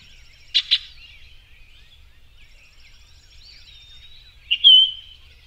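Orchard oriole giving two sharp chips, a thin high whistle, then a quick slurred whistled burst; faint distant birdsong behind.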